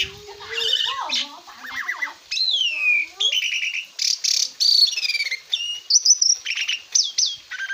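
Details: Asian pied starling singing on a training master for cage birds: wavering warbles, then long drawn-out descending whistles and harsh bursts separated by short pauses.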